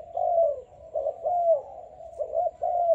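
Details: Spotted dove of Malaysian type, young and selected, singing clear, loud, low coos in quick groups of two and three, dipping slightly in pitch at each end.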